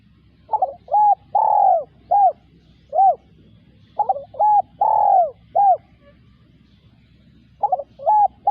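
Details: Spotted dove cooing: three phrases, each a short stuttered note, then a clear coo, a long drawn-out falling coo and a final short coo, all in a mid-pitched hollow tone. A quiet low hum runs beneath.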